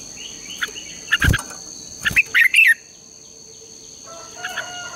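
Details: Red-whiskered bulbul contest song for training birds: thin whistles, then a run of quick chattering phrases, with dull thumps near the start and a steady shrill whine.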